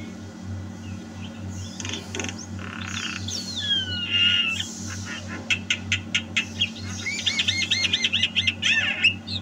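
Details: Javan myna song, 2022: soft scratchy sounds and a sliding whistle, then crisp rapid clicks and a wavering trilled run near the end, with a steady low hum.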